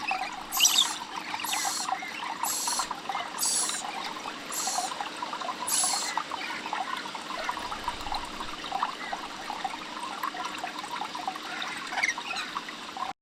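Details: Scaly-breasted lorikeets: six shrill, high screeches come about once a second, over a steady wash of chattering and twittering from many birds.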